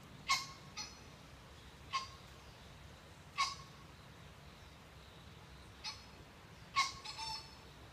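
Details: Japanese green pheasants on a November morning in Hidaka City, Saitama, Japan, giving short, harsh, rasping notes, some paired, spaced irregularly about one to two seconds apart over a quiet, hissy background.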